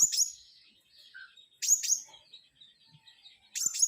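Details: Lively flowerpecker song made of piercing high double notes in short bursts, one burst roughly every one and a half seconds, with quiet thin warbles between them.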